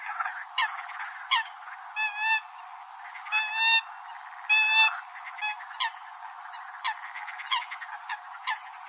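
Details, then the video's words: Migratory Eurasian coots giving short, harsh, nasal honking notes at irregular intervals, some notes broken into quick stuttering bursts, apparently several birds calling over a steady background hiss. "tiếng chim di cư xâm cầm"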